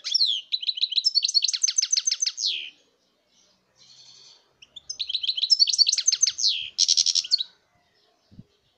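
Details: Song of a European goldfinch, 2019: two long runs of rapid, liquid twittering notes, quickly repeated and rising into buzzy trills, separated by a pause with soft chatter.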